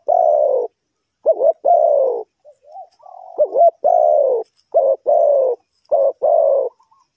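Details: Spotted dove from Ninh Thuận, Vietnam, cooing as a lure for trapping wild birds: loud, mellow, low hooting notes in short bursts with brief gaps, some notes bending up and down, on an otherwise quiet background.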